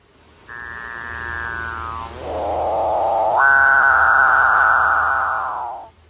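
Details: A Capuchinbird of South American rainforest gives its ghostly courtship call, one long mooing moan of about five seconds that slides down, dips low, then jumps to a higher sustained tone before fading.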